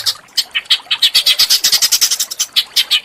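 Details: Small bird tutor sound for Oriental magpie-robins: a brisk series of sharp, high chips, about six per second, varying slightly in pitch.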